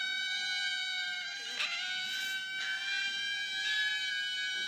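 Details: A single pet Ducorps's cockatoo, overdubbed five times into a chorus, gives a steady, nasal, drawn-out whine that holds one pitch throughout, broken by a couple of short harsh screeches.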